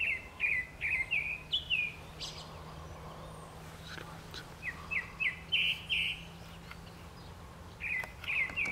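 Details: Brown-eared bulbul singing in spring: quick series of short, bright, slurred chirps, repeated in bursts of four to six with a pause of about two seconds between runs, over steady outdoor background noise.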